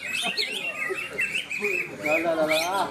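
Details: Greater green leafbird singing at a bird-singing contest in Malinau, North Kalimantan: tumbling, warbled whistles with quick slurred notes, over crowd chatter.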